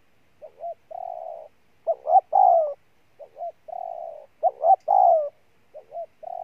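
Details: Spotted dove, wild-caught, cooing in alternating patterns. Quiet, even, humming coos are followed by louder phrases: two quick notes and a longer down-slurred coo, repeated about every two and a half seconds.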